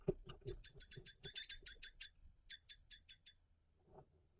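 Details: Common kestrel calling in a nest box on 17 May 2023, during a food transfer at the nest; a fast run of short, sharp, ticking notes, about five per second for over three seconds, then soft rustling and thuds.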